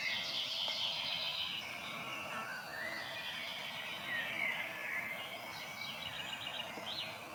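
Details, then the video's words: Grey warbler (riroriro) in New Zealand bush, a tiny, shy bird of dense bush, giving its thin, high, wavering song that slides up and down in long trilled phrases over a steady background hiss. "Grey Warbler / Riroriro"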